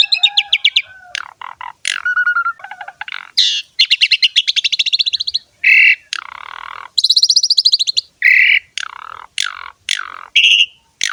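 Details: Asian pied starling, called jalak suren, singing gacor ngerek style to encourage other starlings: rapid rattling trains, long buzzy chatter, short harsh shrieks and fluted whistles in quick alternation, nothing else audible.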